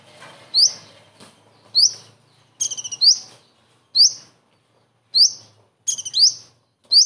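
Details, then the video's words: Common iora giving its kingfisher-imitation song, used to tutor other birds. Piercing upslurred whistles at about one-second intervals mix with two rapid chattering bursts that end in a rising note. "KONIN ISTIMEWA ISIAN TENGKEK UDANG"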